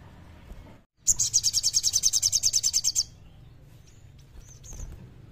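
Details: Loud kleper-style song from a common iora, for prompting quiet birds to sing: after a brief silence, a fast high trill of about fifteen evenly spaced pulses runs for two seconds, followed by faint notes and a low hum.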